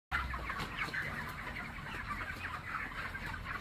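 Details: Broiler chickens in a poultry shed of about 4000 birds: a dense, continuous chorus of overlapping soft clucks and chirps, with no single bird standing out.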